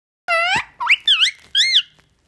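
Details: Parrot mimicking the word papa: a quick series of four squeaky, voice-like syllables with rising and falling nasal tones over about one and a half seconds.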